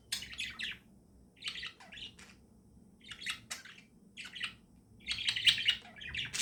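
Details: Pet budgerigars in the morning give grouped bursts of quick chirps and chattering warbles, with brief silences between the groups and a busier, louder stretch near the end.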